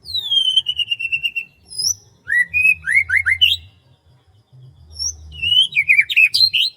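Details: Birdsong in rice fields on a morning: a long descending whistled note, then bursts of quick slurred chirps and whistles in two phrases, over a steady low hum.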